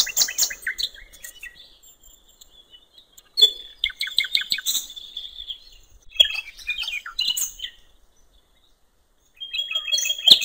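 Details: Common nightingale singing on a riverbank in open countryside: high varied phrases of clicks, buzzy bursts and rapid repeated notes, broken by silent pauses of a second or more, ending in a sharp whistled phrase.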